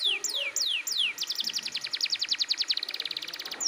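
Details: Canary in full, insistent song aimed at prompting young canaries: several slow drawn-out falling whistles, then a fast rolling trill of clipped notes with faint background hiss.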